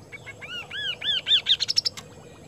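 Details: Kaso-kaso bird in full song in Indonesia, giving a run of clear downslurred arching whistles that quicken into a rapid burst of short, sharp, higher-pitched notes, over a low steady hum.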